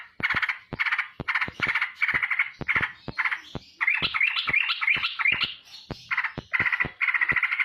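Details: Straw-headed bulbul in fast ropel song while flapping its wings: stuttering buzzy bursts broken by sharp clicks, a midway run of rising, bubbling whistled notes, then more buzzy phrases.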